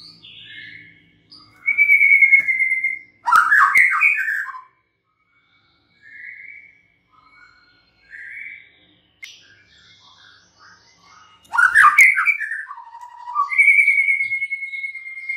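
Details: White-rumped shama song in separated phrases: clear high whistles alternate with loud, rapid chattering bursts and short lower warbles, with silent gaps between phrases and a final held whistle.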